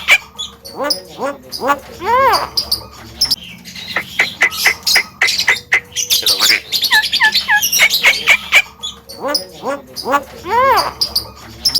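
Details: Javan myna singing to stir up other birds: varied chattering with rising arched notes, short whistles and squawks, and dense scratchy phrases in the middle before more arched notes return.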